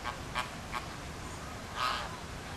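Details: Zoo flamingo flock at Philadelphia Zoo circling and flapping wings together; short clipped honks roughly every third of a second, then a broader, louder squawk, over steady low rumble.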